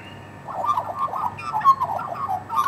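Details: Australian magpies, about twenty wild local birds, scavenging off a bone and being fed meat; several overlapping warbling, slurred mid-pitched calls in quick bursts, with a few clearer fluty notes.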